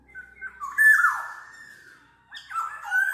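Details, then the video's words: Black-naped oriole, played as a tutor and lure sound: a short whistle, then a loud, rasping nasal note that slides down, a pause, and a rising slurred note to finish. "SUARA BURUNG KEPODANG MAS, untuk masteran/pikat"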